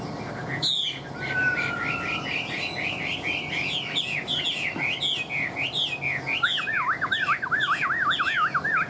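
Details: Caged Chinese Hwamei kept for more than two years, singing strongly: a long run of loud, varied whistled phrases, each swooping up and down, ending in a fast rolling warble of repeated looping notes.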